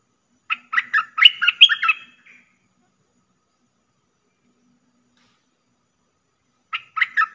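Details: Streak-eared bulbul (merbah lekir) in a lure-call recording gives a quick burst of harsh, chattering chirps lasting about two seconds, then a long pause before another burst begins.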